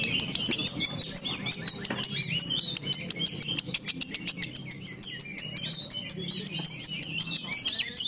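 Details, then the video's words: A female lovebird in Comal, Pemalang, Indonesia, pours out a fast, shrill, nearly unbroken rapid-fire chatter of high chips, about five a second. "Lovebird Tambak Peluru Lovebird Betina yang konslet"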